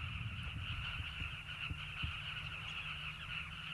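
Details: Southern carmine bee-eater breeding colony in the banks of a river, South Luangwa Valley, Zambia: a softer, more distant-sounding but unbroken chorus of many chattering calls.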